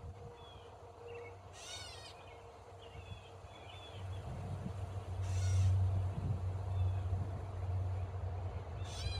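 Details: Catbird squawking at a man: three short, harsh, nasal bursts spaced about four seconds apart, with faint chirps from other birds and a steady low rumble beneath.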